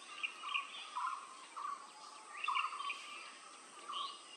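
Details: Blue-throated barbet (Psilopogon asiaticus), call.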